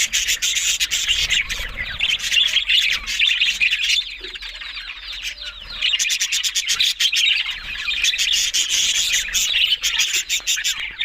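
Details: A flock of budgerigars chatters with rapid chirps, squawks and clicking notes. The noise eases briefly around the middle before dense warbling resumes.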